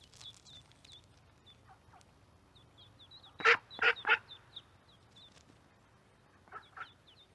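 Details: Pond duckling peeping steadily in high thin notes while an adult duck gives three loud quacks in quick succession, then two softer ones later.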